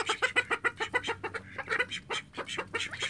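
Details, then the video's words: Domestic call ducks from a home flock of thirteen, a quick run of short, nasal quacks repeated about three times a second, several ducks chattering together. "コールダック 我が家の13羽の天使たち 9 callducks 13 angels in my house 9"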